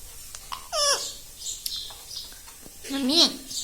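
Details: Talking pet ringneck parrot indoors, mimicking words like mummy: two harmonic speech-like utterances, the second lower and wavering, with faint room noise and soft background voices between them.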